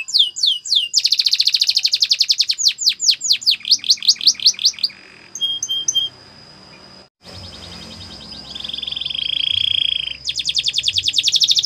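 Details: Training song of a canary: dense upswept trills pulsing rapidly, a pause with a faint held whistle and a few soft chips, then a smooth lower rolling tour before fast trilling resumes.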